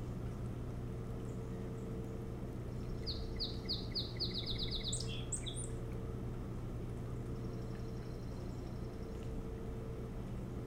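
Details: Osprey calling at the nest, Hog Island near Bremen, Maine, in the early hours of July 25, 2018: a run of repeated piercing descending whistles that quickens and ends in higher squeals, with a constant low background hum.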